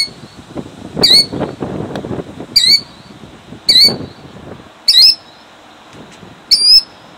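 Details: Killdeer defending eggs, Jackson, New Jersey, 2008: five strident high calls roughly every one and a half seconds, with rustling and handling noise from the recorder between the early calls.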